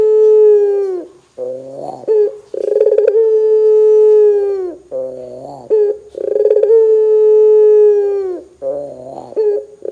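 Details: Vigorously calling Barbary dove, meant to get other doves to answer: alternating long, smooth, level coos and shorter, lower, nasal buzzy notes, with brief rolling bursts between them, repeating steadily.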